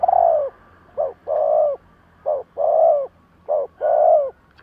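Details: Cooing of a caged decoy spotted dove kept for luring wild doves. Paired coos repeat steadily, each a brief clipped note then a longer rounded coo, roughly once every second and a half, with a faint low hum beneath.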